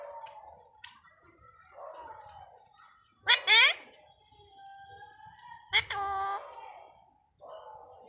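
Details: Talking Alexandrine parakeet imitating Hindi speech such as "Mummy": two strong, harsh, rising harmonic utterances about two and a half seconds apart over soft indoor background murmur.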